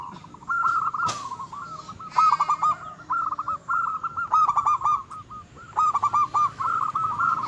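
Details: Local zebra dove in full, provoking song: long bouts of rapid stuttering coos and rolling trills at a steady pitch, a sharp click near the start, with faint high chirps of other birds.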